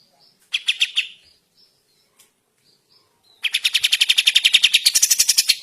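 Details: A sooty-headed bulbul in the morning gives a few short notes, falls quiet, then bursts into a long, fast series of loud repeated chattering notes.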